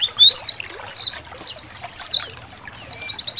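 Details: Colony of Indonesian white-eyes in a songbird training recording with trickling water: bright, high twittering phrases of slurred descending chirps in quick bursts, about two per second, several birds overlapping.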